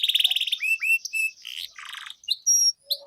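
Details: Singing canary, a training lure for young birds: an opening rapid buzzy trill, then slurred rising whistles, a rough scratchy phrase, and thin high piping notes.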